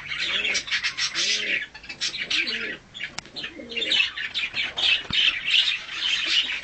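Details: Hand-tame budgerigar of a colour mutation, calling during feeding and a short play and cuddle session; dense, buzzy, scratchy chattering warble runs almost without pause, with brief gaps, over soft low cooing tones.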